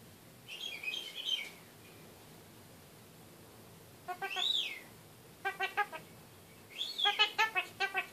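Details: Talking from a caged pet kakariki: a high warbled whistle, then a rising-falling slurred note. Clusters of fast, nasal, stuttering chatter notes follow, repeated in quick bursts.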